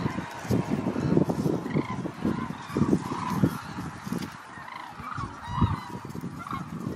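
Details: Hooded crane: short, arched, honking notes repeated about twice a second, some overlapping as if from several birds, over a heavy low rumble throughout.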